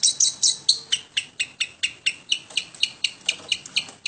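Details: Home-kept long-tailed shrike producing evenly spaced, sharp chipping notes about twice a second, each bright and slightly buzzy, at moderate loudness.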